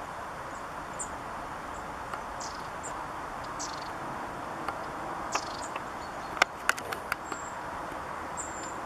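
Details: Long-tailed tits at Zaslawskaye Reservoir (Minsk Sea), Belarus, on 7 November 2020 give thin, very high, scattered calls with a few sharp ticks near the end, over a faint high hum and hiss.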